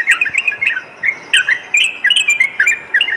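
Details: Yellow-vented bulbul song played as night-time training audio for a caged bird. Bubbly, warbled phrases repeat in quick bursts about every quarter second, with clicky high notes above.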